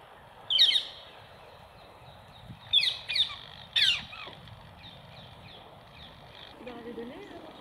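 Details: Rose-ringed parakeets at apples on a wire grid give a single harsh screech, then a cluster of three shrill calls, with quieter chatter and a low wavering sound at the end.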